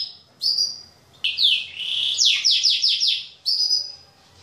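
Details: Male Yorkshire and Waterslager canaries kept as pets singing loudly as the days grow longer: sustained high whistled notes, a rising sweep, then a fast run of repeated descending trills before another long whistle.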